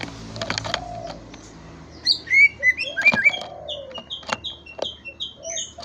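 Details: Greater green leafbird song: an opening run of clicks with a low drawn-out whistle, then bright slurred whistles rising and falling, followed by a quick string of short, high, downslurred chirps near the end.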